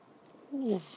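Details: A young northern white-faced owl, born 15–17 December 2012, gives one short, mellow note that slides downward over about a quarter second, in a quiet room.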